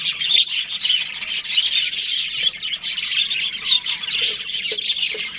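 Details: Budgerigar colony during breeding season, dense high chirping and scratchy warbling from numerous birds, steady and unbroken, with faint clicks below.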